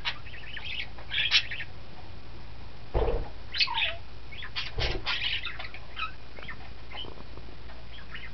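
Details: Young budgerigars chatter in quick bursts of high, scratchy chirps and squeaks over a low background hum.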